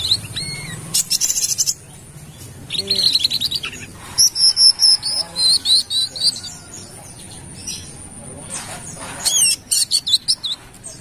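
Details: Kalimantan brown-throated sunbird in lively song, used as a lure sound: bursts of high buzzy trills, then runs of sharp high-pitched chirping notes repeated rapidly, with breaks of near silence between phrases.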